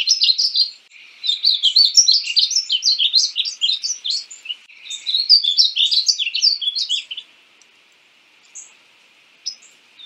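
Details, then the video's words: Painted bunting delivering a long jumbled high-pitched warble in two phrases, lively and scratchy, followed by quiet with a couple of faint isolated notes. "Conheça o belo canto do pássaro estamenha pintada (Passerina ciris)"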